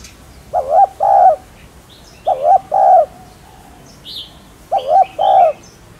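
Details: Spotted dove giving hollow, repeated two-note coos, recorded to stimulate newly caught doves. Three phrases, each a trembling note then a held note, recur about every two seconds amid occasional high bird chirps.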